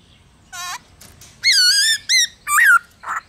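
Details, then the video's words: Black-throated laughingthrush singing its forest-style song, meant to excite caged birds into song. It gives short, sharp, bright whistles, then a long, rich, wavering note and a few curling phrases, ending with a softer, breathy sound. "Khướu Hót giọng rừng HAY kích khướu bổi,luyện khướu bổi hót nhanh căng lửa"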